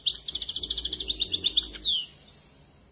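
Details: Goldfinch song: a fast run of bright, tinkling twitters and trilled notes for about two seconds, ending in a clear descending whistle, then quiet.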